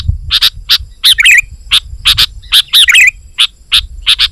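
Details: Sooty-headed bulbul singing energetically, a recording meant to lure wild bulbuls and answer rivals: loud paired sharp chirps in irregular bursts, with a few tumbling warbled phrases, and faint low rumble underneath.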